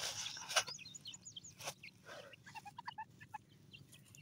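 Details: Grey francolin chicks giving short, thin chirps, scattered unevenly through the recording, with a run of lower piping notes near the end. Several abrupt loud bursts of noise interrupt.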